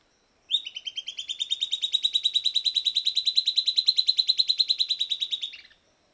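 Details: Silvered antbird (Sclateria naevia) singing after playback: a long, fast series of about fifty sharp, evenly spaced whistled notes, rising slightly then quickening and fading at the end over about five seconds, with no other sounds.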